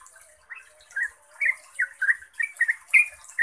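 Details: Yellow-vented bulbul in lively ropel song used as a lure: quick slurred bubbling notes, several rising and falling, delivered in an accelerating run after a brief quiet start, with a faint high hiss behind.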